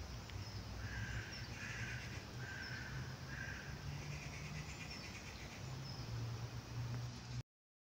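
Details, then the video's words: Hooded crow calling to other crows: a run of four hoarse, slightly distant caws in quick succession over a steady low hum, followed by background noise. "Ворона переговаривается с сородичами"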